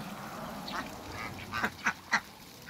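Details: Couple of Muscovy ducks in a backyard giving three short, breathy, husky calls about a quarter second apart after a softer murmur.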